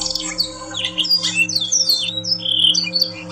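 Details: Yorkshire canary song used to train other canaries, a rapid tumble of high swooping whistles and sharp chirps, some notes dipping then rising, with a constant background hum.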